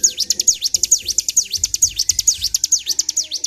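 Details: Bar-winged prinia provoked to sing hard, an unbroken steady run of very high, sharply sweeping V-shaped notes, evenly spaced at about two per second within a fast chattering stream.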